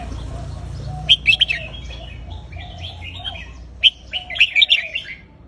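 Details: Counted-phrase song of a red-whiskered bulbul, with two bright clusters of sharp chirpy whistles separated by a quieter pause and warbling, over a low rumbling background.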